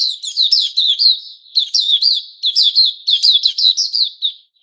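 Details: White-crowned shama kept as a songbird, moulting into new feathers, 06-09-2021: a continuous run of bright, fast whistled notes with crisp clicks and upward flicks, delivered in tight clusters.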